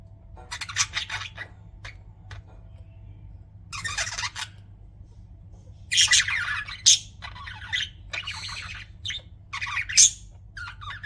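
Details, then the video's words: Chattering budgies, pets, give irregular harsh squawks and rasping chirps spread across eleven seconds, louder clusters near six and ten seconds, with a low steady hum underneath. "BUDGIES CHIRPING SOUND"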